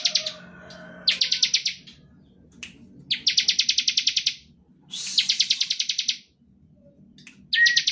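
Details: Ngebren song of a Bar-winged prinia, used as a lure for other prinias: short, dense bursts of rapid buzzy ticks separated by pauses, with a few lower tonal notes at the start and faint background rumble.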